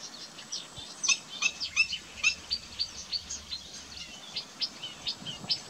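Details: Black-winged stilt recorded in 2016, giving a run of short, sharp high notes repeated roughly twice a second. The calls are faint against a steady background hiss.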